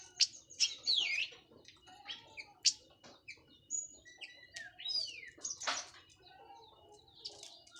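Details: Orange-headed thrush from Cililin, just out of moult, singing loud open teler-style song: dense, fast jumble of high whistles, sharp rising and falling sweeps and chirps tumbling over one another, with a faint low hum beneath.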